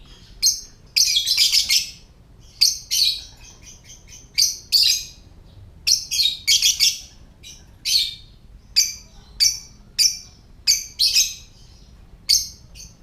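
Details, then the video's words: A lovebird gives its "typing" call: rapid, high, clicking chatter in short bursts, like fast typing, repeated about every second with brief pauses. "Lovebird Suara Ngetik .. Love Bird Anda PASTI BUNYI"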